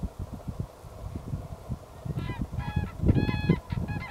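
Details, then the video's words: Common cranes near Berlin, Germany, on 25 February 2016, give loud, ringing, trumpeting calls with rich overtones in short bursts in the second half, over a steady low rumble of wind and rustling. "Kraniche 2016"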